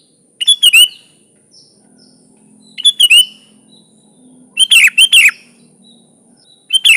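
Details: Sooty-headed bulbul in energetic 'gacor' song meant as a master for other bulbuls: repeated warbled bursts of quick chirping notes about every two seconds, with a faint low hum underneath.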